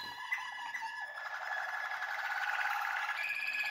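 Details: Young Waterslager canaries bred in 2020, recorded in January 2021; a continuous rolling, water-like warble holding steady in pitch and swelling in loudness, with a softer opening phrase before the full trill.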